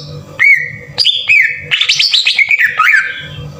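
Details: Green leafbird song used as a lure to excite untrained birds into singing: two held whistles rising in steps, then a quick jumbled run of chirps sliding down, over a low hum.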